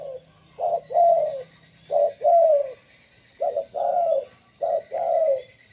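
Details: Local zebra dove song meant to lure others of its species: mellow, vibrating coos in four paired phrases, each a short note then a longer falling trill, spaced about a second apart, with faint background hum.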